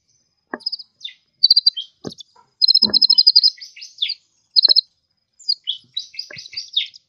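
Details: Sunbird in lively song: high, fast, rattling chirp series and sweeping twitters, with brief sharp clicks scattered between the phrases.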